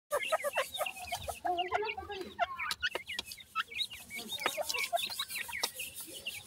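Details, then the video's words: Grey francolin chicks at feeding time, giving a dense chorus of short overlapping cheeps and chirps, some rising and some falling, packed closely with barely a pause, alongside soft clucking tones and occasional clicks. "gora teetar checks feeding,titur checks voice"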